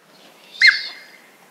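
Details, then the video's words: A chestnut teal duck gives a single brief, clear, high-pitched note that bends and fades quickly, over a faint background hiss. "Chestnut Teal duck call"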